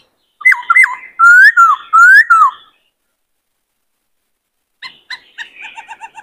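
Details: Singing white-cheeked laughingthrush during training of young birds and rousing of males: looping whistles, then loud, smooth rising and falling whistled phrases, silence, and a soft run of short, rapid, chattering notes.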